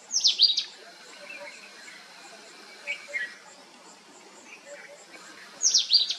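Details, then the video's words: Sunbirds in a family group: a loud burst of sharp high descending chips at the start and again at the end, with softer twittering between and a steady insect drone. "Cute Sunbirds Family"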